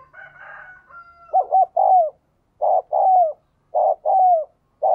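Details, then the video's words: Spotted dove cooing meant to get a newly caught decoy bird cooing fast; after a brief buzzy rasping sound, mellow two-part coos follow, each a short note and a drawn-out falling note, repeating steadily. "Chim Cu Mồi/ cu gay kich boi nhanh noi gù"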